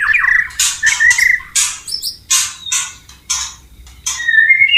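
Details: White-rumped shama in the wild near running water, mixing harsh, noisy bursts roughly every half second with a few sweet whistles, ending on a clear rising whistled note.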